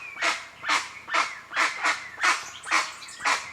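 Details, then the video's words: Wild guan recorded in nature, giving loud, rasping, honk-like squawks at a fairly even pace of about two per second, with a thin whistled tone running between the notes. "O CANTO DO JACU"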